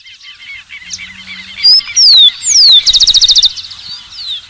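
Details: Rufous-collared sparrow song: a few clear slurred whistles sliding downward, then a fast even trill of about a dozen notes, over a soft background chorus of other chirping birds.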